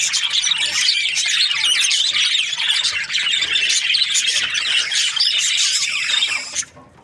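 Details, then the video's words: Breeding budgerigars chattering in rapid high chirps and squawks, many birds overlapping, until the sound cuts off abruptly near the end, leaving near silence. "Budgies parrot chirping sounds | breeding pairs"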